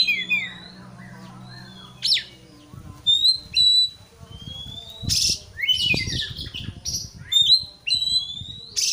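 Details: Caged white-rumped shama singing to provoke a rival. After a low hum at the start come bright whistled notes and slides, mixed with harsh noisy bursts and rapid chattering, in irregular phrases.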